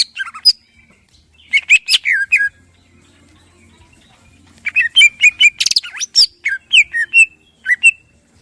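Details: Morning lure song of a greater green leafbird, meant to spur other birds into singing; varied style with harsh shots. Short clusters of sharp chirps and sliding whistles, a loud rasping burst midway, then quick falling phrases.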